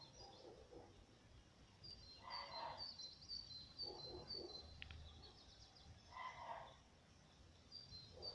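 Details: A male black redstart gives thin, high-pitched notes in quick, uneven runs, over steady outdoor background noise with a few lower, rough bursts.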